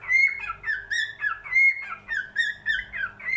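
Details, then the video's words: Short burst of cockatiel singing: bright whistles with sharp rising tips, alternating with lower slurred notes, in a fast rhythmic pattern. "Best Cockatiel singing"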